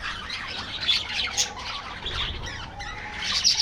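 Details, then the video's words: Short burst of aviary budgerigar colony chatter: shrill squawks and high, scratchy twitters overlapping from several birds. "budgies bird"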